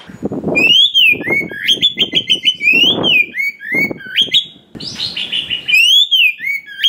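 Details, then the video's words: Oriental magpie-robin (kacer), a forest-caught bird with many varied song phrases, played to stir other kacer into singing and fighting spirit: loud run of whistled notes stepping up and down, rising slurs, over low thudding knocks. "SUARA BURUNG KACER ISIAN BANYAK !! PANCINGAN UNTUK BURUNG KACER BAHAN HUTAN || VOICE OF KACER"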